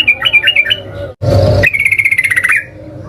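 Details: Sooty-headed bulbul in combative song meant to provoke answers from others: a few quick warbled notes, a harsh noisy burst, then a level rapid trill ending with a falling note.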